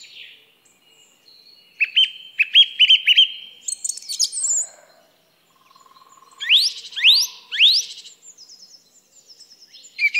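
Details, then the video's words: Song thrush sings bright, varied phrases, each repeated two to four times: clipped whistled notes, then high rising sweeps delivered three times in a row. "Song Thrush Bird Sound"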